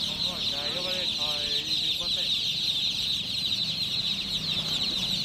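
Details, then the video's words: Chicken chicks peep in a continuous high chorus. A quick run of rapid rising harmonic notes stands out early, then the chorus continues alone. "MURGI CHICKS CHIRPING SOUNDS"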